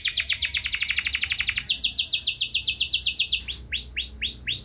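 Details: Domestic canary in full song to stir rival canaries to answer: long runs of quick, evenly repeated sharp notes shifting into a lower trill, ending in looping, slurred whistles.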